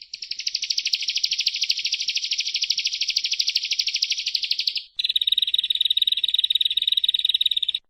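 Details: Bar-winged prinia (ciblek, perenjak jawa), recorded as training song for songbird keepers: a dense, buzzy high trill sustained for about five seconds, then a quicker, thinner chattering rattle. No other sounds.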